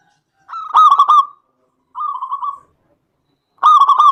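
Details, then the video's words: A local zebra dove's song meant to provoke other doves into singing: three phrases of fast, rattling coos, the first and last loud and coarse, the middle one quieter. "SUARA PERKUTUT LOKAL GACOR AMPUH UNTUK PANCINGAN EMOSI PERKUTUT LAIN JADI GACOR"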